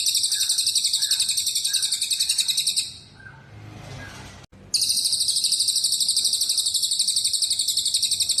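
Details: Masteran recording naming cucak jenggot, cililin and canary: dense, shrill trilling of fast repeated notes, a brief quiet gap with a click, then the same rapid trill resuming.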